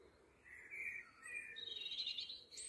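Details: Juvenile Eurasian blue tit giving soft, thin calls: a few drawn-out mid-high tones followed by higher, faint wavering notes, quiet against a soft outdoor background.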